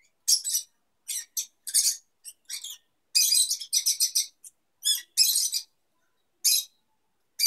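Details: Young lovebirds mating, the female with wings fully extended: bursts of high, scratchy chirps in short clusters, some rapid and chattering, separated by brief silences.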